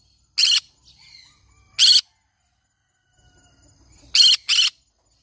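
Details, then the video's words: Green-cheeked conure screeching: two single harsh bursts about one and a half seconds apart, then a rapid double screech, with faint soft chatter in the pauses. "green cheek conure parrot sounds"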